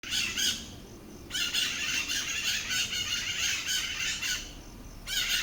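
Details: Pair of white-eyed parakeets in Atlantic Forest at Lagoa da Conceição, Santa Catarina Island, Brazil, raising a noisy racket: harsh, dense screeching bursts, one brief then a long chattering stretch of about four seconds, with another burst starting at the end.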